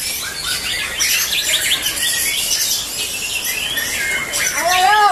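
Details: White-rumped shama being prepared for a singing contest: a dense, rapid stream of varied chirps and trills with overlapping high notes, closing with several loud, arched, descending whistles.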